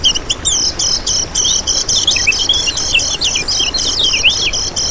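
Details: Used as a lure for trapping other birds, lemon-bellied white-eye song pours out as continuous high-pitched twittering: quick chirps with sliding, looping notes dipping lower toward the end, all over a soft hiss.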